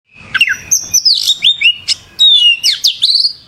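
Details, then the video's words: Oriental magpie-robin singing vigorously (gacor): a rapid run of sweet, varied whistles, some sliding up and others dropping sharply, with brief buzzy notes and quick chirps packed closely together. "Suara Burung Kacer Gacor"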